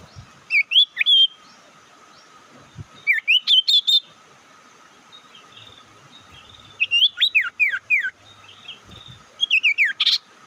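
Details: Four bursts of sharp, rising whistled chirps spaced a few seconds apart, each a quick stuttering cluster, forming a bird lure call used to provoke other birds.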